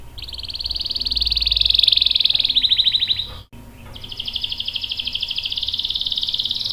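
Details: Canary's long rolling song, used as a tutor and lure for other caged canaries; a loud rapid trill that slows into separate notes, a brief break, then another high buzzy roll.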